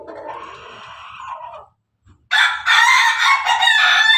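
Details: Pelung Bangkok chicken eating together with hens: a softer, lower crow fades out, then after a brief silence comes a loud, bright, sustained crow with a wavering, quavering pitch over about two seconds.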